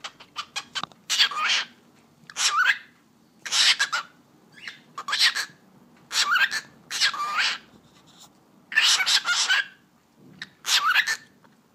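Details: A pet cockatiel that has taken to saying "eşek sıpası" in Turkish chatters on: about nine rough, hissing speech-like bursts with squeaky upward inflections, after a run of quick clicks, indoors.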